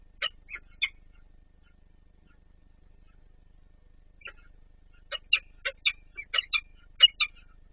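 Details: Peregrine falcons at Warsaw's Palace of Culture and Science on 26 April 2024 as one adult feeds another. Three rasping calls open the clip, followed by a long silence, then a quick burst of harsh chattering notes.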